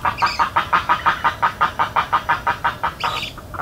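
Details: Spoonbill calling in Everglades National Park: a regular chain of coarse pulsed notes, about three each second, with a brief higher squeal near the end.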